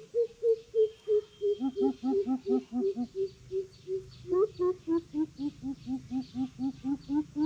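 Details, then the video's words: Greater coucal challenging: a steady run of deep booming hoots, then two-tone paired hoots, with a rising note that leads into further even hoots, about three per second. "Siêu bìm bịp thách đấu"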